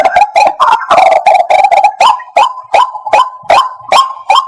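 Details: White-breasted waterhen call used as a lure for bird trapping: a rapid jumble of harsh croaking notes settles into sharp, evenly spaced clucks about every 0.4 seconds, each with a rising tail.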